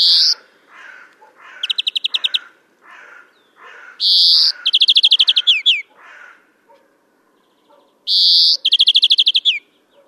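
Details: Greenfinch song recorded in April 2015 at Kholm, Novgorod region, Russia, alternating harsh nasal wheezes with quick ringing trills, phrases repeating about every four seconds, with softer lower notes between phrases.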